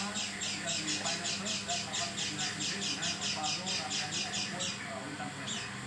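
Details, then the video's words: Unusual call of an oriental white-eye, different from its normal voice: a fast series of rasping high notes lasting nearly five seconds, then stopping, followed by quieter background sound. "Burung pleci bersuara aneh"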